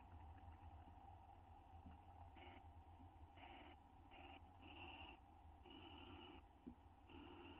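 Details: Pair of owls bonding inside a nest box on May 9, 2011: a series of short, harsh, harmonic call bursts, some brief and some drawn out up to a second, over a constant low electrical hum.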